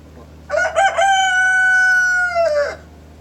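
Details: Cock-a-doodle-doo from a rooster in the morning, choppy opening bursts then a loud sustained harmonic tone held about one and a half seconds before dropping away.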